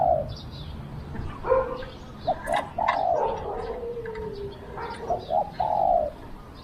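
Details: A decoy Spotted dove luring wild doves: a coo at the start, overlapping cooing and chirping from other birds midway, then two short notes and a long coo near the end.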